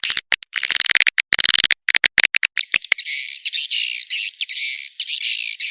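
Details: Mixed swiftlet lure call named Lintas Borneo, for attracting swiftlets: rapid clicking, ticking pulses in quick series, then from about three seconds a continuous high buzzy twittering chatter with rising squeaks.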